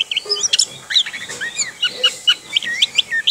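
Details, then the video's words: Kept orange-headed thrush in rolling 'ngerol' song: short, clear whistled notes and slurred upward sweeps delivered in quick succession, with brief gaps between bursts. "ANIS KEMBANG NGEROL"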